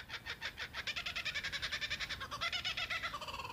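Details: A Laughing Kookaburra, native to Australia, perched in trees on Fraser Island, gives its territorial call: a rapid run of harsh, cackling notes, several each second, swelling into a loud rolling laugh that rises in pitch near the end.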